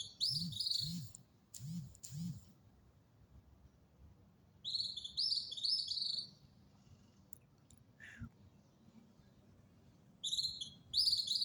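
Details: Small songbird singing in winter: short, high, twittering phrases come in scattered bursts with gaps, while a man speaks Spanish quietly nearby and low background noise persists.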